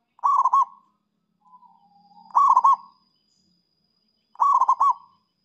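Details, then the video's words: Cooing song of a zebra dove meant to draw in rivals: three quick trilled coo bursts about two seconds apart, with a faint soft note between the first two. "Perkutut Super Gacor memikat lawan- perkutut manapun bunyi dengar ini"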